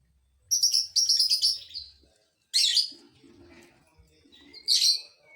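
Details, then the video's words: Lovebird provoking other lovebirds: a rasping double burst of shrill chatter, then a single loud harsh note followed by softer scratchy sounds, and a final piercing squeak with a thin whistle. "dijamin burung Lovebird lain emosi"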